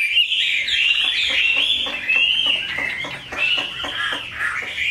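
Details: Caged Chinese hwamei, a bird praised as a specialty of the northwestern mountain forests, singing a continuous run of rich whistled phrases with rapid clicks underneath, wavering up and down without pause.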